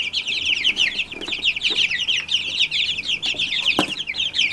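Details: Many Brahma chicks, all from a single hen, calling loudly at once: a constant chorus of shrill, quick down-slurred peeps packed tightly without pause, plus occasional low taps.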